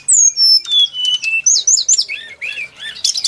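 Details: Brown-chested jungle flycatcher singing a fast jumble of clear whistles: a falling high note, then swooping slurs, chirps and arched notes, several per second, ending in a dense burst.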